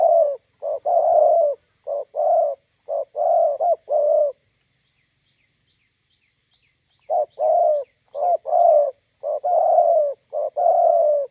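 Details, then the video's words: Spotted dove decoy bird meeting a wild bird beside a roadside: low, hoarse coos repeated in quick bursts of three or four notes, a silent gap of about three seconds, then another cooing run, with faint high chirps in the background. "bổi đẹp gặp mồi Đồng Gù"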